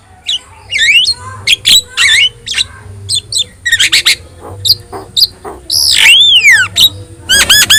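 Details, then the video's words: Energetic yellow-eyed Javan myna song for teaching other caged birds: harsh squawks, swooping whistles, a long arched whistle and a fast buzzy trill at the close, with background hum. "JALAK KEBO GACOR MATA KUNING | Untuk Masteran Kicau Jalak"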